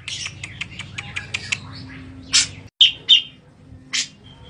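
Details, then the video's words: A grey-cheeked bulbul, recorded while bathing, gives a quick run of high, sharp chirps, then several louder harsh notes, over a faint low hum. "cucak jenggot lain pasti nyaut denger suara ini !!!"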